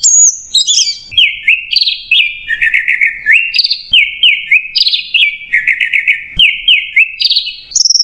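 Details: Stop-start macet jernih singing by an Orange-headed thrush: a high opening whistle, then varied looping and rattling whistled notes that climb and fall in repeated steps, finishing on a high clear tone.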